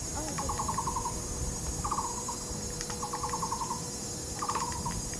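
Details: A courting Taiwan barbet pair excavating a tree-hole nest in a nature park in Taipei County duet with short, hollow, monotonous rattling bursts like a wooden fish, about every second and a half, over a steady high insect drone.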